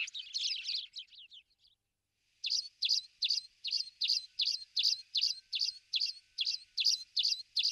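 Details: Spanish sparrows recorded in Toledo province, Spain, in November 2019: an opening jumble of high chattering chirps, a short pause, then a steady series of sharp, loud chirps about three per second, clean background.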